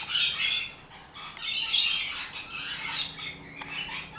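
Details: Rainbow lorikeets, wild Australian parrots, screeching in rapid rasping bursts about four a second, several birds overlapping in a noisy, uneven chatter that rises and falls.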